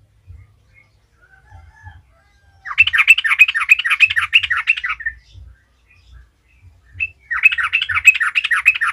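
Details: Lure recording of a sooty-headed bulbul singing, meant to provoke other bulbuls into song: two busy bursts of rapid, jumbled chirping notes separated by a quiet gap with soft low knocks.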